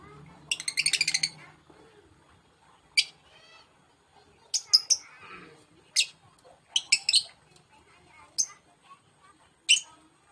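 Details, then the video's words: A male lovebird, panicking after being separated from its mate, gives a fast rattling series of shrill notes, then loud, sharp, high squeaks repeated irregularly every second or two, with faint speech at the start. "Love bird jantan panik ketika lagi di pisahkan"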